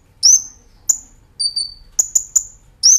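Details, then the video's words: Brown-throated sunbird (kolibri ninja) singing actively in a nembak ngerol style, recorded as a master for training cage birds: sharp, very high piercing chirps spaced about half a second apart, with one brief thin buzzy trill midway. "Masteran Kolibri Ninja Gacor Nembak Ngerol"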